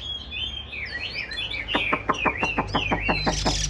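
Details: Hwamei in a cage, described as singing while nodding and dancing, starts with looping slurred whistles, then fires off a rapid run of sharp downward-sweeping notes, nearly a dozen in two seconds.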